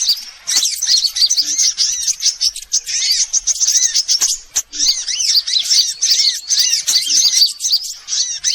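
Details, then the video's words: Mixed sunbird calls meant to lure birds in: bursts of rapid high twittering broken by short pauses, with down-curving chirps and scattered sharp ticks. "Suara pikat semua jenis burung kolibri"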